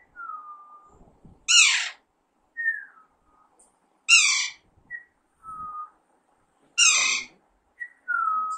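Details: Alexandrine parakeet kept at home, three loud, harsh falling squawks about every two and a half seconds, alternating with short, clear whistled notes.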